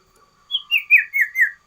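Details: Sooty-headed bulbul singing a loud song variation: a phrase of five clear whistled notes, sliding gently downward from a higher start, delivered in an even rhythm over about a second, with no other sounds.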